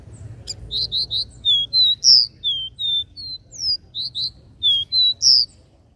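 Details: Continuous run of bright whistled notes from a capped seedeater, regional three-note 'Dó Ré Mi' song, some notes doubled quickly and others slurred, repeated steadily for six seconds.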